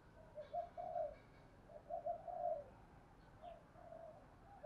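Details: Female spotted dove calling to lure wild doves: soft, low coos in short groups, faint against a steady background hiss.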